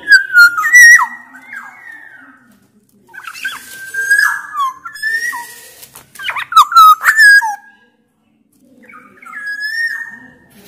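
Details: Black-naped oriole, a bird from Sumbawa, singing loudly to prompt other orioles: repeated bursts of fluty, slurred whistles and level notes, with quiet gaps between phrases over about ten seconds.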